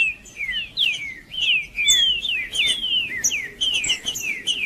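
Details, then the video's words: Macheando song of a green-winged saltator, meant to warm up and stimulate another bird to sing; a dense run of bright, downslurred whistles, each phrase about half a second, delivered almost continuously. "Trinca-ferro Macheando 🔥 Trinca ferro cantando Para Esquentar Trinca ferro"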